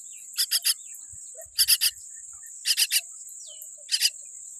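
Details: Baby common myna, tiny and born with a weak beak, giving rasping buzzy calls in quick clusters of three, about once a second, against an unbroken shrill background hum.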